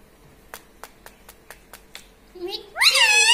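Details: Pet green ringneck parrot that talks, said to say "mummy" and "radhe radhe": a run of sharp, evenly spaced clicks or taps, then a brief burst of high, harmonic, speech-like syllables sliding up and down at the end, indoors.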